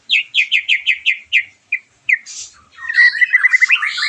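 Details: White-rumped shama, song used to provoke a bird recovering from moult: a run of six quick repeated notes, a pause, then a dense rapid warbling phrase.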